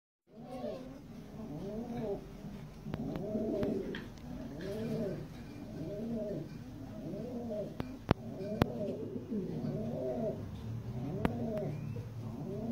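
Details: Jafari pigeon, called the smallest kind of pigeon in the world, delivering a long run of soft, rounded coos with rich harmonics, each swelling and fading about once a second, with a few sharp clicks in the background.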